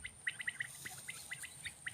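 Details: A pedigree pair of partridges gives a run of short, sharp chirping notes, quick at first then spaced out, with a steady high hum and faint low rumble behind.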